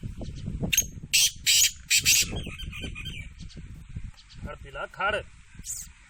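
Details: Black francolin, known locally as kala teetar, kept out of its cage: a run of loud, harsh, grating broadband bursts in quick succession, followed by fainter rasping notes. Low male voices talk underneath.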